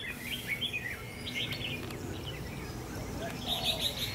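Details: A captive decoy red-whiskered bulbul being trained, with one white tail feather, hung up to test near wild bulbuls that chase and fight in acacia trees. It gives short, bright chirping phrases in quick bursts over a low hum and faint voices.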